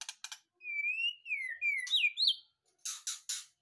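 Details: White-rumped shama taken straight from a breeding cage and singing: a long fluting whistle rising then falling, a few slurred upward notes, framed by short harsh rasping bursts.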